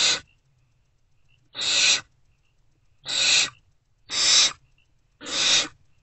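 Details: Hungry great horned owl owlets in an owl box in early morning, 3 March 2024, answering a returning adult with rasping hiss-screeches, five noisy bursts lasting about a third of a second, spaced roughly one to one and a half seconds apart.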